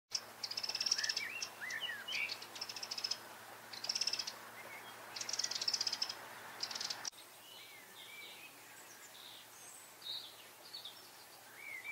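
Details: Eurasian wren singing a loud, high song in bursts of rapid trilled notes, repeated over about seven seconds, then quieter; other birds give softer, lower chirps and whistles in the background.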